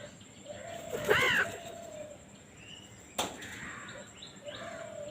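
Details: Crow chick begging for food gives a single strained, harsh caw, then a sharp click and faint calls of other birds in the background.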